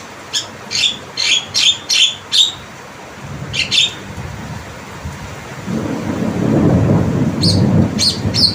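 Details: Tame Javan myna uttering six rapid harsh squawks and two more after a short gap. Loud low rumbling like rain or thunder then swells, and further calls break through near the end.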